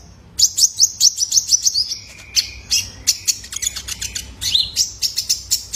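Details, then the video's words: Juvenile male kolibri ninja, a sunbird, recorded as a lure for caged birds: rapid series of sharp, very high chirps and trills, clustered in quick bursts with brief pauses, one lower buzzy note midway. "SUARA ANAKAN JANTAN"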